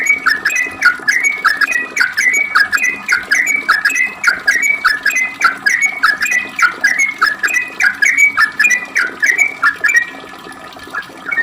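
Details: Long, fast 'ropel' song of a sooty-headed bulbul, played as a lure so other bulbuls answer: a continuous chain of chirpy, slurred whistled phrases, closely repeated, fading near the end.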